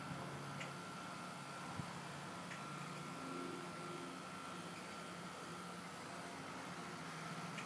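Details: Steady low mechanical hum with a faint high whine, like a fan or vehicle running indoors, and a single soft knock near the two-second mark.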